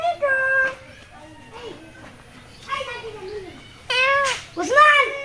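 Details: A talking parakeet at the Mirpur 1 bird market in Dhaka, Bangladesh, speaks in a few short, nasal, word-like bursts with bending pitch, spaced over five seconds, while people talk quietly in the background.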